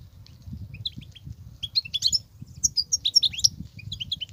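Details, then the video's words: Wild European goldfinch twittering: scattered short, high, clipped notes in loose bunches, faint at first then quicker and denser, over a low, soft rumbling background. "صوت الحسون البرى:مقنين خلوى ممتاز..بتبتات.. غناء لاينقطع"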